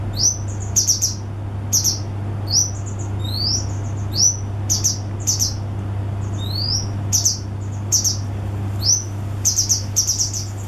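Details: A male grey wagtail, one of a pair feeding young in a nest in vines on a pub yard's back wall in Chorlton, Manchester, gives sharp, high, upslurred alarm calls in quick irregular runs at smokers and drinkers, over a low drone.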